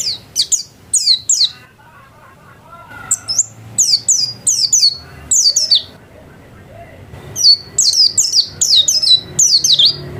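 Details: Singing home-kept white-eye: clusters of three to five high, steeply descending chirps separated by quiet gaps of one to two seconds, ending in a busier run.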